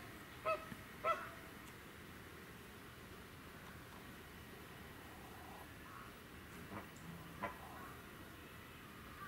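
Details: Chilean and American flamingos at Noichi Zoological Park, Kochi, Japan, on 24 March 2018 give two loud, nasal, goose-like honks about half a second apart, then a couple of fainter honks later over steady background hiss.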